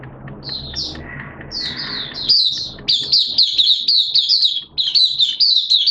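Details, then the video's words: Oriental white-eye kept in a cage by a bird hobbyist, singing in 'buka' open style on 11 September 2022 in wet, erratic weather: a few scattered high twitters, then a dense run of rapid chirping notes. "Mata Puteh T-Rex Buka Sing"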